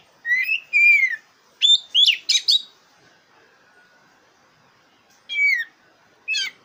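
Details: Oriental magpie-robin of the black-breasted type singing as a contest lure: two drawn-out whistles, then quick sharp rising notes, a pause of about two seconds, and two more short whistled phrases.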